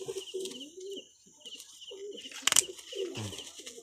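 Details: Pigeons of native and imported bloodlines in captivity give a run of throaty, wavering coos in short bursts, a sharp clattering knock in the middle, and a steady faint high hiss behind.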